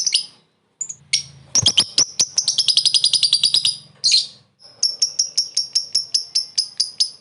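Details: Lovebird calling a rival with a short laughing ngekek call used for luring: rapid runs of sharp, high chirps repeated in fast rattling series, broken by brief harsh screeches and pauses.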